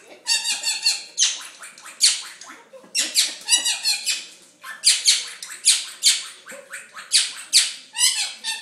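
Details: Indoors, a pet monk parakeet reacts wildly to a nurse putting on gloves, giving harsh, grating squawks in fast irregular bursts, with faint voices in the room.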